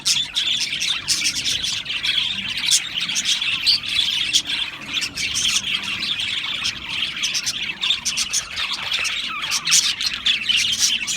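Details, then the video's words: Constant high-pitched chirping from a crowd of Australian parrots, many small twittering voices layered into a thick, even chorus with frequent sharp ticks. "Beautiful Australian Parrots Chirping sounds beautiful Parrots Sounds"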